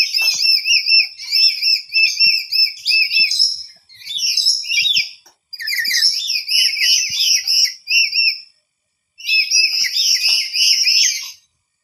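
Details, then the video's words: A startled parrot calls back loudly at sounds around it, trying to locate them: long series of rapid, repeated high upslurred chirps in bursts of several seconds, with brief gaps between bouts. "Burung nuri terkejut membalas dengan keras dan mencari tau arah datangnya suara"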